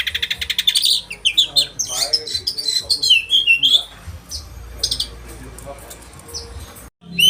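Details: Oriental magpie-robin in the rapid 'roll tembakan' style, sharp-voiced, used to train caged birds: a fast run of clipped high notes, then mixed whistles and buzzy phrases that fade into quieter twitters toward the end.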